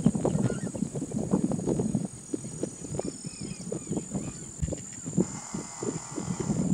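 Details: Spotted rail giving a fast series of low, rough, knocking grunts, tumbling in uneven bursts for several seconds. A steady high electronic whine runs throughout, and faint thin whistles from other birds sound in the background.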